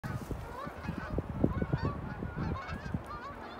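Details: Canada geese flying north in winter, recorded on 4 January 2023: many overlapping honks and nasal calls in a dense flock chorus, with rumbling background noise.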